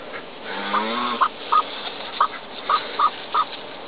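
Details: A Muscovy duck hen, aged two to eight years, standing over her hatching clutch with wings spread, gives about six short, clipped mid-pitched notes a third of a second apart, telling a person to go away; a person speaks briefly first.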